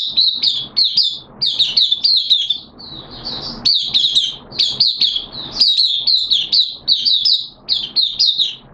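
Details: Oriental white-eye, a caged bird on day two of monthly deworming, 13 September 2022, delivers continuous rapid high-pitched twittering song in tight repeated clusters of chirps, almost without pause.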